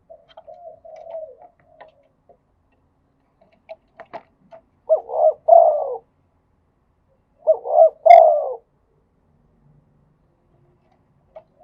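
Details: Thai spotted dove cooing in the khat and nun song styles: faint scattered coos and small clicks at first, then two loud phrases of rapid stuttered low coos swelling into a drawn-out final note, about three seconds apart.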